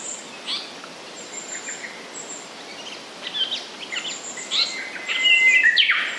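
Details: Whistled song of a Japanese paradise flycatcher. Soft scattered notes build to a loud, clear, drawn-out whistled phrase at the end, with thin high insect tones behind.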